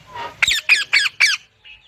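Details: A parrot gives five harsh, evenly spaced squawks in quick succession, each rasping and rich, followed by a faint trailing note.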